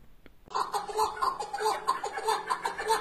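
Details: A chukar partridge, one of two calling side by side, gives a fast run of deep, throaty chuck notes, about four or five a second, with a faint hum behind.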